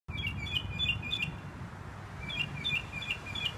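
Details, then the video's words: Northern mockingbird singing from a sign in Herndon, Virginia: a quick run of about five high, clear repeated notes, a pause, then a second similar run of chirps, over a steady low rumble. "Singing Mockingbird"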